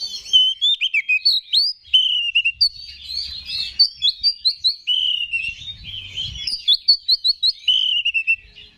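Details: Energetic song of a kacer, the Oriental magpie-robin prized in bird-singing contests, used to fire up other males: long run of sweet whistled phrases, quick repeated slurred notes in steady series, and faint low hum.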